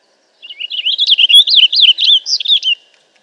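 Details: Purple Finch singing a lively, fast warble of looping, tumbling high notes for over two seconds, about four notes per second, varied and bubbly, fading at the end with no background sound.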